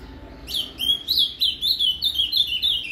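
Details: Ultramarine grosbeak singing Paraná canto fibra, a song used to fire up a caged azulão: a continuous string of crisp, downslurred whistles repeated roughly five times per second, slightly descending in pitch toward the end.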